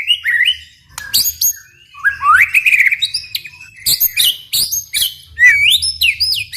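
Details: Energetic White-rumped shama song intended to make other shamas sing along: varied sweeping whistles, rising slurs and sudden harsh bursts, delivered in rich, fast-changing phrases.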